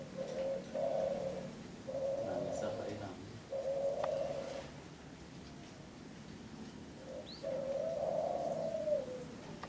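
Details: Local spotted dove of the three-note "kuk 3" style, kept on a breeding farm: three low, hoarse coos in a row, a pause, then a short note and a longer drawn-out coo, with faint voices in the background.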